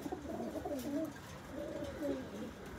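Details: Pigeons of the Nabta type kept with their newly hatched chicks indoors: low, wavering, throaty cooing phrases rolling continuously, with a faint hint of voices in the room.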